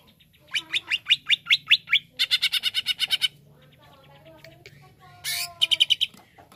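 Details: Greater green leafbird song opens with a series of loud, sharp notes about five per second, then shifts into a tighter, faster rattle. Softer chatter and a hiss-like burst follow, ending with a final quick trill.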